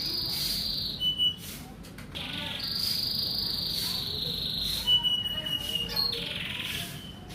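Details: Breeding-ready male canary from Indonesia singing long high rolled trills broken by sharp chips, alternating between buzzy tours and lower sustained whistles across several phrases.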